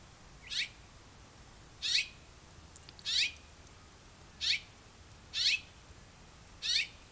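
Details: Parent birds with their young, recorded on May 4 at 10:40 in the morning; harsh, buzzy high-pitched calls in short bursts, repeated roughly every one to one and a half seconds, six bursts in all, over quiet background.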